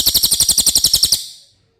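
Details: Cililin singing for use as a tutor recording for contest birds: a single high, buzzy trill of quick, evenly spaced notes, about a second long, ending cleanly.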